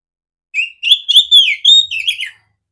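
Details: Female oriental magpie-robin with a big clear voice, used as a training recording for other magpie-robins; a single short phrase of smooth rising and falling whistles ending in a quick twittery trill.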